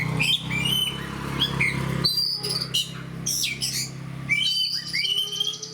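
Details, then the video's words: Oriental magpie-robin (kacer) in fighter song: separate sharp whistled notes and high slurred phrases, some rising steeply, over a steady low electrical hum. "AWAS BURUNG KACERMU MBAGONG DENGAR SUARA KACER GACOR DAN FIGHTER LAIN DI SEBELAH KACER INI"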